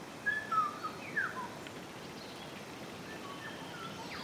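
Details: Orange-collared manakin (Manacus aurantiacus) in courtship dance display with a female present, giving four or five short, thin whistled notes within about a second, some slurring downward, then only steady background hiss.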